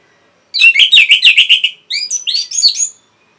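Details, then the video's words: Orange-headed thrush song used to stimulate caged birds: a rapid run of ringing whistled notes, then a brief break and a higher phrase of sweeping, upslurred whistles. "MASTERAN & PANCINGAN ANIS MERAH GACOR"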